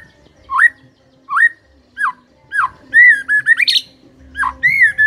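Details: White-rumped shama giving three spaced rising whistles about two-thirds of a second apart, then a sustained clear whistle broken into quick pulses and a high flourish, ending with another rising whistled phrase.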